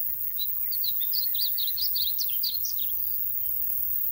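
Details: A Painted Bunting (Passerina ciris) in Royse City, Texas, on 06/08/2020 sings one quick, sweet, high warble of jumbled notes lasting about two seconds, over a steady background hiss.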